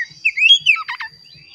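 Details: Oriental magpie-robin song meant to prompt caged birds into singing: rising whistled notes followed by a fast burst of harsh, chattering buzzy notes.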